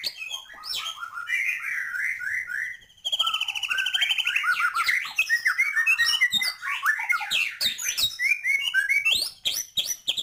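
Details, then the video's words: Loud, continuous song of a white-rumped shama, crammed with filler phrases: fast chattering runs, buzzy trills and sharp whistled slurs tumble over one another, with a short break about three seconds in. "Murai batu gacor,, full isian"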